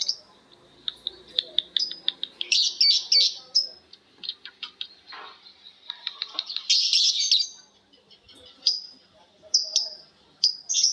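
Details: Several lovebirds, including ones called Betmen, vio and paskun, trade a long ngekek: fast shrill chattering runs broken by short pauses, with harsh buzzy bursts near three and seven seconds and sharp single chips at the end.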